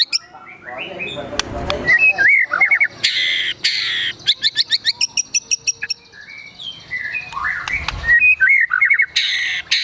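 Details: White-rumped shama in agitated full song, rich with mimicked phrases: loud whistled slurs broken by harsh buzzy bursts and a fast string of sharp ticking notes, varied and energetic throughout.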